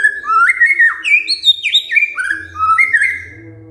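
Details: Melodious white-rumped shama song given in answer to a lure: a flowing series of clear whistles, each stepping or sliding up and down in pitch, varied and continuous, with a faint low hum.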